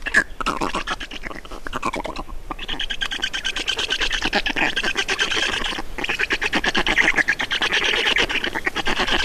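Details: Black storks at their nest in Estonia during a feeding, 2019: dense, rapid raspy pulses run almost without pause, with harsher squawks layered over a steady hissing chatter.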